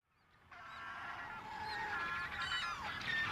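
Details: Dense chorus at an erect-crested penguin (Eudyptes sclateri) breeding colony on the Bounty Islands, New Zealand: harsh, honking, braying calls from many birds overlapping constantly and building in volume.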